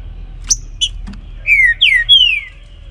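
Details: Morning baruc song of a trinca-ferro, the green-winged saltator: after a few sharp clicks and chips, three strong whistles follow, each slurring down in pitch, the last one longest and drawn out.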